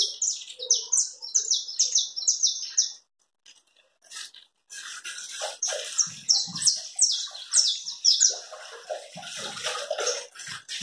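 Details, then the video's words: Saffron finch giving chapinha carretilha song: a rapid high trill of slurred notes, a short silence, then long bright rolling phrases mixed with soft lower chirps and faint background noises. "Canário chapinha carritilha."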